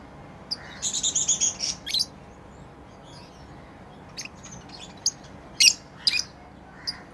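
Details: Tame lovebirds at play give a quick run of high, raspy chirps, then scattered sharp single ticks and squeaks after a pause of about two seconds.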